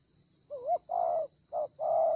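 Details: Spotted dove decoy in a fierce fight, Central Highlands forest, Vietnam, 19 October 2020: a wavering coo, then a long low coo, a short note and another drawn-out coo, over a constant high electronic-like whine.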